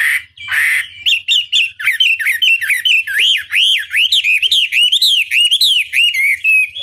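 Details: Chinese hwamei pouring out loud looping whistles after a brief harsh note, with each arched note rising and falling about three times a second in a steady, rollicking run.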